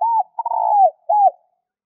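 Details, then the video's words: Spotted dove call used to lure or stimulate birds: three soft, hoarse cooing notes, the first arching, a longer wavering middle coo, then a short falling coo, all low and mellow, in a quiet setting. "Tiếng cu gáy kích bổi hay nhanh nổi hiệu quả"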